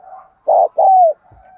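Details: Spotted dove coo used to train the voices of newly caught birds and to lure wild birds: two loud, mellow cooing notes, the second longer and gently falling, with faint softer hum before and after.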